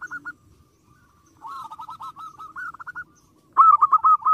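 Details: Zebra dove song to provoke rivals: a few short coos, a pause, then a softer rippling run of notes, ending in a sudden loud, fast, bubbling burst.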